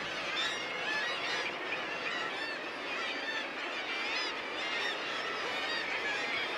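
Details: European shag chicks at a breeding seacliff on the Isle of May, Scotland, make a dense, continuous chorus of harsh, wavering squealing and honking calls, many voices overlapping without pause, on loud, windy cliffs shared with kittiwakes and auks.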